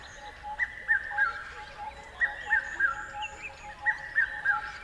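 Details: Birds calling: triplets of slurred, falling notes repeated roughly every one and a half seconds, with faint chirps and a low steady hum underneath.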